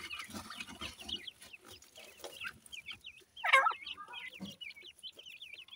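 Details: Francolin chicks (dakhni teetar) kept with a new pair: steady chorus of high, thin rising peeps in quick succession, broken by a single louder rasping note partway through, soft low rustling beneath.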